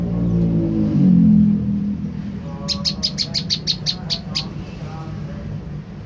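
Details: Olive-backed tailorbird call used to provoke an answer: a low loud rumble at first, then a tight rapid series of about ten sharp high notes, fading into quiet hum.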